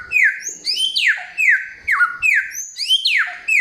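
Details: Samyong singing a loud, clear song: rapid slurred whistles sweeping down from high to mid pitch, mixed with higher chirping notes and upward-rising slides, about four phrases a second, in a quiet room.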